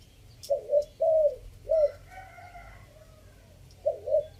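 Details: Three-note decoy coo of a spotted dove from Chiang Mai, Thailand, phrase style five: soft burred hoots followed by a drawn-out level coo, then a short note. Fainter higher tones sound midway, and the coo group resumes near the end.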